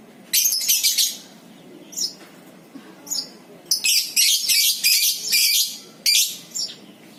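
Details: Lovebird in ngekek style, offered as a lure to set other lovebirds chattering: shrill, high rasping bursts of rapid chatter, some nearly a second long, broken by short pauses and single sharp chirps.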